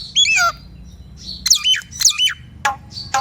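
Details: Nias hill myna song intended to get quiet mynas singing: a falling whistled phrase, two bursts of harsh squawking with looping whistles, and a sharp click-like note.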